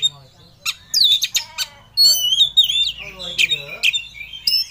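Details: Kacer, the Oriental magpie-robin, in an emotional rival-seeking display pours out fast, loud whistles, harsh squawky notes and sliding sweeps in a near-continuous run, with a low hum underneath.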